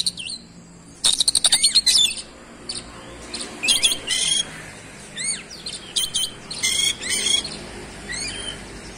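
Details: Vigorous oriental magpie-robin song in fast 'roll speed' style showing off fills: a rapid stuttering rattle, then harsh buzzy bursts mixed with looping whistled notes and chips.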